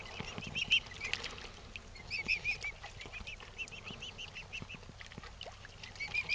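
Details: Mute swan parent on firm ground giving breathy, hissing bursts and short snorting notes at an uneven pace as its cygnet is approached, with faint high squeaks and steady background noise; Esnon, France.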